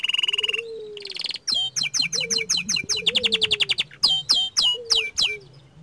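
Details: Energetic song of a young small standard canary, opening with a buzzy rattle and a low slurred whistle, then quick bursts of sharp chirps and fast ticking runs, with low whistles threaded beneath.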